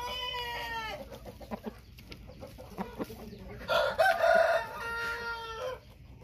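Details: White-tailed Thai rooster crowing: a harmonic crow tails off in the first second, scattered clucks and taps follow, then a loud, drawn-out crow of about two seconds rises and holds before ending abruptly.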